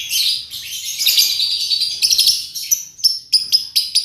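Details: Lovebird chatter used to lure other birds into singing: dense high twittering and scratchy chirps, then a run of short sharp repeated notes, with no other sounds.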